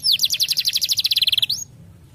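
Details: Starblue colour canary singing a tutor song meant to get young canaries singing quickly: a high, rapid pulsed trill of repeated notes that speeds up, then stops abruptly, leaving quiet background.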